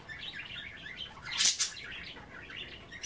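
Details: Budgerigars playing with kale in bath water: a soft rippling chatter with one loud sharp burst, possibly splashing or wing flutter, midway.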